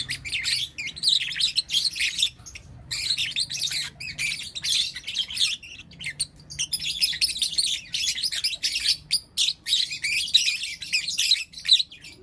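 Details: Four young lutino lovebirds chirping in the morning; long stretch of busy, high-pitched squeaky chatter in rapid bursts with short breaks throughout.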